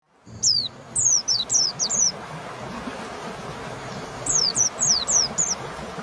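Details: White-eye singing thin, very high whistled notes that slide steeply downward, given in quick series of four or five, two series separated by a pause, over steady low background noise.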